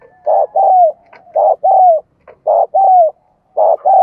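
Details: Spotted dove used as a decoy to stir up male doves: paired coos, a short rough note followed by a drawn-out downslurred one, repeated in even phrases with brief silences between.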